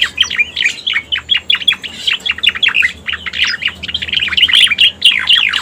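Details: Lure sound of the cica koreng, the Striated Grassbird: a fast, continuous run of sharp, downward-sweeping chirps, each brief and bright, at high pitch. Faint low background hum.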